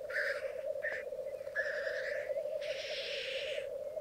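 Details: Twelve black grouse cocks and two hens at a morning bog lek in Mykland, May 2022. Unbroken low bubbling cooing underlies four rushing, hissing bursts of varied length.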